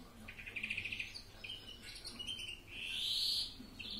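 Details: European greenfinch giving a mixed song: a fast rattling trill of evenly pulsed notes, a few short chirps, then one long, buzzy, wheezing note drawn out for nearly a second, over a faint low background hum.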